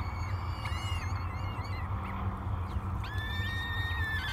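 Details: At the Great Spirit Bluff nest on 24 May 2022, three hungry peregrine falcon chicks beg at breakfast. Wavering wails give way to a long, steady, high whine near the end, over a constant low hum.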